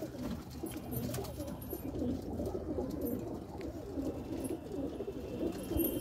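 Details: Red desi highflyer pigeons kept indoors give low, soft overlapping coos, a steady murmur of several birds with short rolling phrases, plus faint clicks and rustling.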